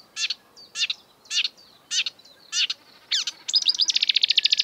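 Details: Marsh warbler in breeding-season song, a species that copies European and African birds: five evenly spaced harsh, descending chirps, then twanging slurs and a rapid buzzy high trill at the end.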